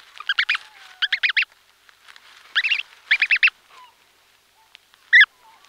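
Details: Close recording of Brant goose goslings still inside eggs, calling: clustered harmonic peeping notes in quick groups of three or four, repeated roughly every second, then one loud squeaky note near the end, with faint whistles and shuffling movement sounds.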